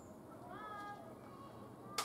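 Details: Eurasian bullfinch (Pyrrhula pyrrhula) recorded on 16 August 2021, giving a soft, low, piping whistle that rises slightly, followed by a sharp click near the end over faint background hiss.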